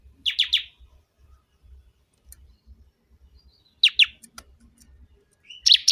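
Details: Bar-winged prinia (ciblek kebun), a loud song used for training or luring: short bursts of two or three harsh chirps separated by long pauses with faint clicks.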